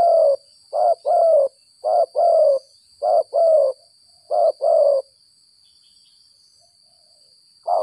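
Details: Spotted dove caught by luring after rain, giving its stuttering 'gagap 6 mata' call: four quick pairs of a short coo and a longer, slightly falling coo, then a pause before another phrase begins. The coos are low and soft.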